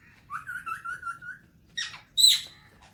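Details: A pet talking Alexandrine parakeet, in the morning, gives a wavering, voice-like warble for about a second, then two harsh, raspy squawks.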